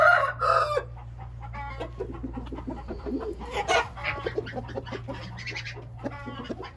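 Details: Hint rooster calling: a loud harmonic, slightly rising call in the first second and another short burst near the middle, with scattered clucks and rustling between them over a steady low hum.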